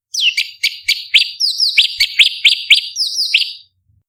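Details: Cucak cungkok bulbul, a recording used to train competition birds, delivering a fast run of piercing high whistled notes, each dropping quickly in pitch, packed closely with brief gaps between bursts.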